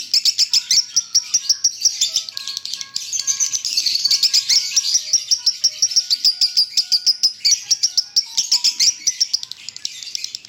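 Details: Lovebird delivering long konslet-style song called leher patah, dense high rapid chirps running continuously, with faint thin whistles from other birds underneath.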